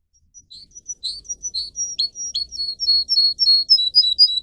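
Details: Canary singing, for teaching canaries to sing. Bright clipped chirps, first spaced out and then quickening to about four per second, each a short downslurred whistle, forming a steady rhythmic run.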